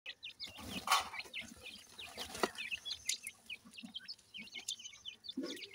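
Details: Grey francolin (Indian Dakhni teetar) chicks kept and cared for while being fed; many rapid, high, short cheeping peeps overlapping continuously, with a few louder clicks and soft low handling noises.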